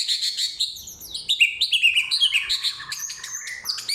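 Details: Samyong song, loud and clear, made of forest material: high, quick chirps and trills tumbling down in pitch, then a run of thin, sharp whistled notes at the end.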